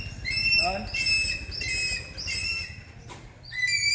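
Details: Hawk-eagle calling during a training session: thin, high whistled squeals with a harmonic ring, repeated in quick irregular bursts, with a low rumble of background noise beneath.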